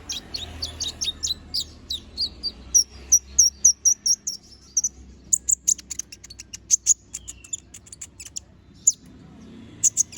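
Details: Lively little spiderhunter pouring out rapid, sharp, high-pitched notes, first as a fast falling series of chips, then a steady run of evenly spaced piercing tweets, followed by scattered single notes.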